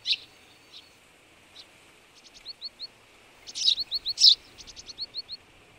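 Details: Partial albino Eurasian tree sparrow: scattered hard chirps mixed with quick series of small, soft descending notes and a burst of louder chirping in the middle, irregular in rhythm.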